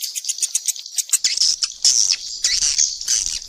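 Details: Swiftlets in a mixed chorus, with quick high chirps at first, then louder, longer buzzy twitters overlapping in bursts, all very high-pitched.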